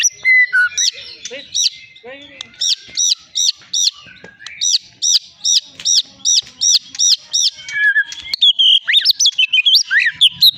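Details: Caged long-tailed Medan white-rumped shama, a prize-winning songbird, repeating a looped high whistled figure about ten times in a steady rhythm, then breaking into a fast, jumbled warble.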